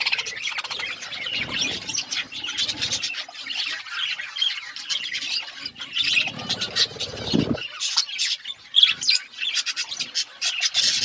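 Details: A flock of budgies squawks and chirps while feeding, continuous high, harsh chatter with a brief low scraping sound in the middle.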